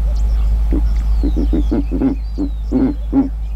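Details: Deep, gruff pulsed grunts from a giant eagle-owl filmed in Kruger National Park, delivered fast and irregularly, around ten short low notes in under four seconds over a constant low hum.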